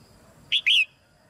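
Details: Caged female red-whiskered bulbul sings one short phrase meant to encourage newly matured birds: a sharp opening note and a drawn-out slurred whistle falling in pitch, then quiet.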